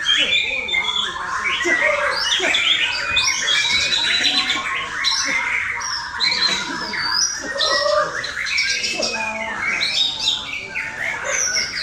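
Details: Male White-rumped shama, competition-trained for bird contests, singing a dense, varied stream of loud whistles, rich warbles and harsh notes, some sliding up and down, continuous and fast over steady background noise.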